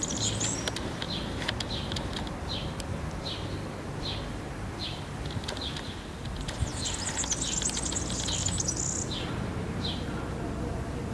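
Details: European serin song in a Zamudio town square, Bizkaia, recorded 7 May 2018: repeated short chirps roughly every second from other birds, then a high, fast, jangling trill for about two seconds, with constant low background hum.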